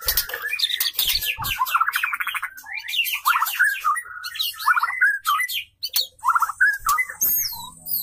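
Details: White-rumped shama pair, male wooing female in mating display: loud, energetic song of rapid trills, rattling buzzes and sweeping whistles, with short pauses and a few sharp clicks.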